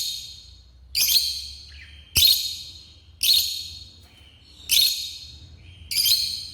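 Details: Pet African lovebirds repeating sharp, piercing shrieks roughly once a second, each a harsh broadband screech with a brief lower chirp between some, over a faint low hum.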